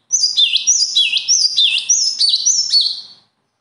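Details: High, loud birdsong of closely repeated phrases, roughly three each second for three seconds: a piercing upper note linked to a lower dipping whistle, in a steady, insistent rhythm against a quiet background.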